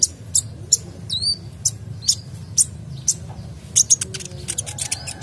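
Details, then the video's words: Energetic sunbird song rich in phrases, used as a prompt for other singing birds: isolated piercing high chips, one rising-falling whistled note, and clustered ticks near the end over a low hum. "Kolibri Dacok Gacor Full isian Cocok Untuk Pancing Bunyi"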